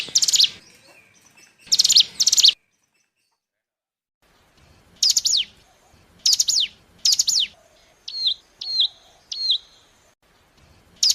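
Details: Bar-winged prinia lure call used for trapping, from forest stock: short bursts of high, scratchy notes at irregular intervals with sharp descending sweeps, followed by a few clipped, level whistles with a downturned end.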